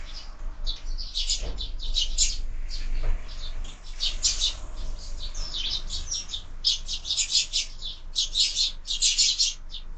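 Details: Sparrows fighting at a window-mounted feeder chirp constantly in a busy, overlapping chatter of short high notes, with a low rumble and a couple of knocks beneath.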